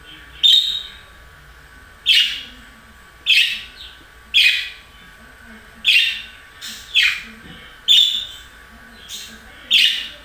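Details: Budgerigar giving sharp, bright chirps and short squawks, one roughly every one to two seconds, each note dropping quickly in pitch, against a quiet background.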